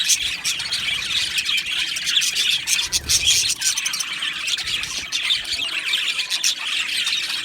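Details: Colony of Australian budgerigars kept in an aviary, many birds warbling and chirping at once in a busy, high-pitched babble that rises and dips in loudness without stopping.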